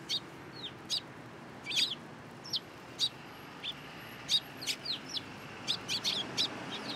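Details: Sparrows at a Tenmangu shrine landing on a hand for food, 14 April 2023; sparse short chirps and small downslurred notes, spaced about half a second apart, over steady low background noise.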